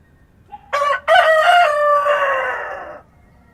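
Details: Rooster crowing at dawn on a farm: a faint preliminary note, then a clipped first syllable and a long, strong harmonic crow that eases downward over about two seconds before ending, with soft rural ambience.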